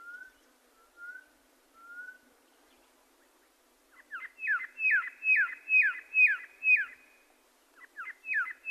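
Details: Red-lored whistler singing: a few soft, short whistles with pauses open the clip, followed by a fast run of loud, downslurred whistled notes repeated about twice a second.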